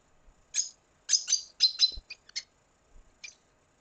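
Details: Red siskin from Venezuela singing: short bursts of bright, high twittering notes in quick clusters, followed by a few scattered chips and a low thump near the middle.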